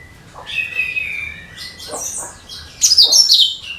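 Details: Cucak kinoi lure song for birds of every kind: a long thin whistled note with soft ticks, then a loud sweet tumbling burst of high chattering notes.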